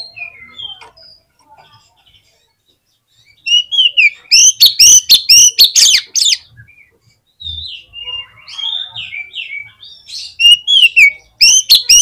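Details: Oriental magpie-robin in full lure song meant to prompt other magpie-robins to sing: quiet scattered notes, then a loud rapid burst of sharp, ringing, varied whistles and chips, a pause, and another strong run of rich whistled phrases.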